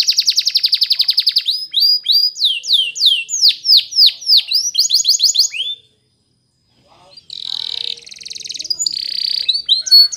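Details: Belgian canary song for training: a loud rapid rolling trill, then a series of swooping whistled notes, a brief silence, and a softer buzzing roll resuming at the end.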